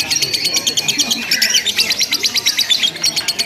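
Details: Lovebird chattering continuously in a simulated singing contest, a rapid, buzzy run of high repeated notes, dense in the middle and slightly uneven in rhythm.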